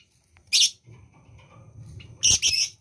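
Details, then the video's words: Lovebird in breeding condition (birahi): two loud, harsh, high-pitched shrieks about two seconds apart, the second a quick double burst, over a low background hum. "lovebird yang birahi"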